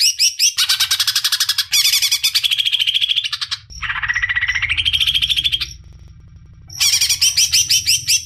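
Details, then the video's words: Female greater green leafbird calling to the male in bursts of dense, scratchy chatter. The bursts are broken by short pauses, with a steady low hum underneath. "Suara Cucak Ijo Betina Memanggil Jantan"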